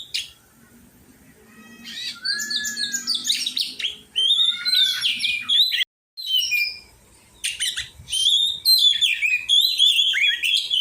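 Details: Oriental magpie-robin during song training: after a quiet opening, bursts of rapid chattering and whistled notes, a brief break, then more varied sharp phrases, roughly four per second.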